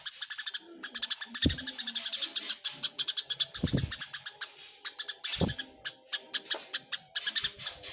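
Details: Eurasian tree sparrows fighting, clearly recorded: a dense stream of sharp, high chirps repeated several times per second with brief pauses, plus a few low thumps.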